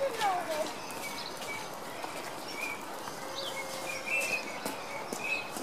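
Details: Common teal courting at Royal Burgers' Zoo: brief, thin whistled notes scattered through the recording, several callers over a steady background hiss with a lower gliding note at the start.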